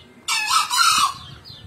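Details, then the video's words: Male green junglefowl crowing vigorously: one loud, hoarse, broadband burst lasting under a second, harsh and rasping throughout, fading quickly, with faint background noise afterwards. "Ayam hutan hijau jantan gacor"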